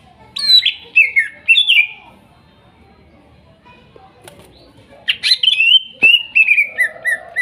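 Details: Greater green leafbird, wild-caught in Kuningan, trotol and nopeng stage, singing to coax silent birds: a brief burst of falling whistles, a long pause, then a stream of clear descending notes with a lower warbling undertone.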